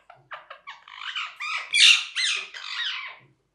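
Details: Parrot squawking: a few short clipped notes build into a continuous, rasping, harsh screech that swells louder in the middle before cutting off.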